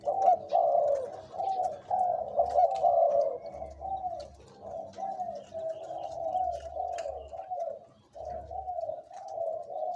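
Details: Decoy spotted dove, aged two to three, in a near-continuous run of throaty, wavering coos with barely any gaps and a brief pause near the end.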